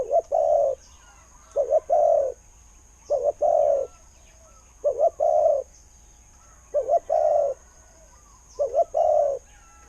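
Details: A spotted dove kept as a decoy, praised for its good khu-ang voice that lures wild doves. Six low two-part coos come at steady two-second intervals: a brief doubled note, then a drawn-out mellow coo.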